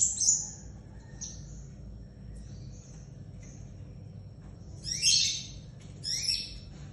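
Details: Scarlet minivet in full voice, giving bursts of high, sharp chirps with gaps between them, a loud cluster near the start and two more bursts toward the end, against a quiet low rumble.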